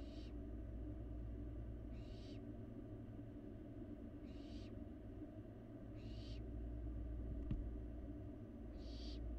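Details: In Florida, a barn owl fledgling feeds in an empty nest box watched by a live camera, giving five rasping, noisy hisses spaced roughly two seconds apart over a constant low hum.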